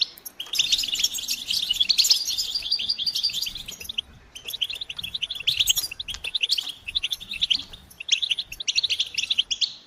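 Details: European goldfinch group twittering to prompt a male's song: bursts of bright, rapid chirping and tinkling notes, broken by short pauses near four and eight seconds.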